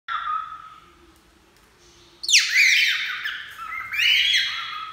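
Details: Pet cockatiel talking the phrase "Que menino bonito" and singing. A steady harmonic whistle is followed by a pause, then loud, harsh, sweeping notes that plunge and rise again over the final two and a half seconds.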